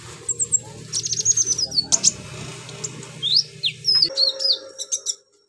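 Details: Bulbul (konin) singing with borrowed cililin, cricket, golden grasshopper and chick phrases: a fast high trill, then rising and falling thin whistled slurs in quick succession, with a low background hum.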